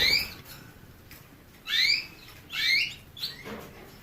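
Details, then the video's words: Canary giving clear upslurred whistled notes with bright harmonics, three loud notes spaced about a second apart with softer short chirps between, over faint steady background hiss. "the basics of canary birds' singing"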